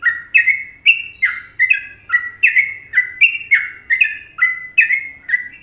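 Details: Clear Trucukan song of a sooty-headed bulbul, Indonesia, recorded as masteran: bubbly doubled notes falling in pitch, repeated briskly and evenly for several seconds, with a quiet low hum underneath.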